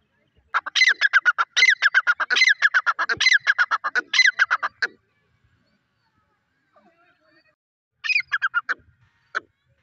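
A grey francolin gives loud, harsh, rapidly repeated notes in a ringing series for about four seconds, then a shorter burst after a pause.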